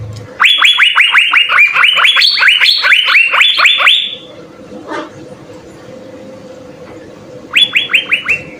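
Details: Asian fairy-bluebird in persistent song, recorded as a master for training songbirds: four seconds of rapid rising whistled notes, a pause with a faint click and background hum, then a short new run of whistles.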